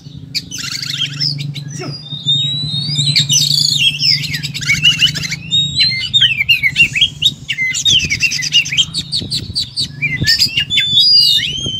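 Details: Oriental magpie-robin in full fighting mode ('tarung'), unloading its repertoire: several buzzy rattling bursts mixed with loud ringing whistles and quick slurred notes, nearly continuous, with a low hum and faint knocks.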